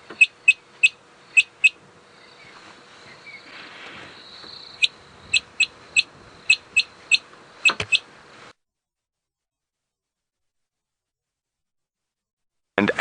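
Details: Harlequin Quail calls played back during an evening drive in Djuma, South Africa, on 6 April 2017: sharp, high, clipped whistled notes, often in quick pairs, about one every half second in short bursts, over a soft background hiss.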